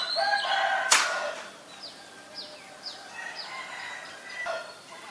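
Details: Female Asian koel: a loud burst, then a run of short, shrill, descending notes repeated several times a second, amid mixed background birdsong.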